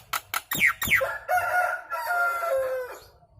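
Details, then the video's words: Nias hill myna, a loud lure to make birds sing along: a few steep falling sweeps lead into a long, sustained, nasal harmonic note held for nearly two seconds before fading out. "SUARA KERAS PANCINGAN JALAK NIAS LANGSUNG RESPON IKUT GACOR"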